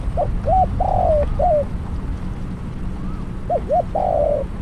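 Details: Trapping decoy spotted dove repeats its cooing phrase twice: clipped rising notes leading into a long hoarse coo, with quiet rural background rumble.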